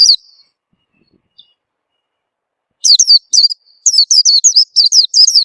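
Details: Lure sound of the Oriental white-eye, played so that other birds join in: a lone chirp trailing into a thin whistle, a long quiet gap, then an energetic string of high, wavering, downward-sliding chirps.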